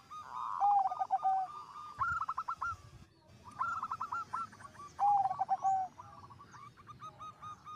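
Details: Energetic zebra dove singing that reportedly sets off other zebra doves: repeated bursts of rapid cooing notes with lower sustained tones underneath, separated by brief pauses, ending in a fading series of short coos.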